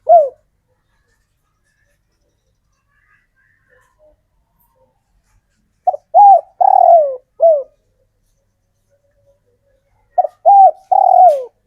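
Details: Captive local male spotted dove calling for females: an opening coo, long silence, then two coo phrases of short notes ending in a long descending trilled coo.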